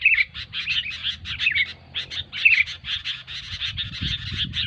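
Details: Noisy sooty-headed bulbul chatter, kept as a trapping lure: dense runs of scratchy, clipped notes in quick succession, a brief lull at mid-point, then steady chattering over low background rumble.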